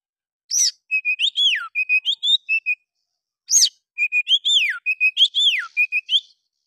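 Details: Oriental magpie-robin in aggressive 'fighter' voice, said to provoke other birds into opening their tails and mimicking bulbul notes; two bursts of clear whistled phrases, rising and falling slurs and short repeated notes, no background sound.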